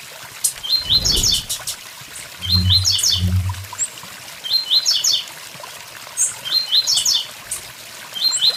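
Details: Blue-black grassquit song by a waterfall: buzzy rising chip clusters repeated about every 1.6 seconds, with a couple of low thumps and a brief low noise early on, over steady water rush.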